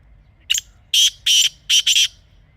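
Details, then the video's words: Black francolin (kala teetar), a Pakistani wild bird recorded in natural surroundings: a short, thin opening note, then four loud, harsh, grating notes in two pairs, high-pitched and buzzy, over quiet low background hum. "Real Kala Teetar Sound"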